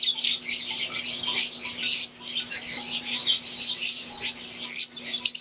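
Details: Aviary flock of wild-type green Fischer's lovebirds with Euwing birds, chattering continuously in dense, high, overlapping chirps and squeaky twitters with brief lulls, plus a steady low mechanical hum beneath.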